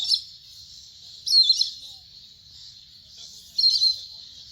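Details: Indian grey hornbill (Ocyceros birostris) giving three shrill, squealing notes about two seconds apart, sounding like a black kite, over a steady high hiss of background insects.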